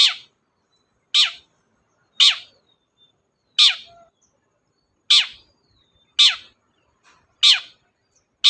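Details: Long-tailed shrike, a kept songbird, in a recording for coaxing quiet shrikes to sing: loud raspy notes dropping in pitch, given about once every second.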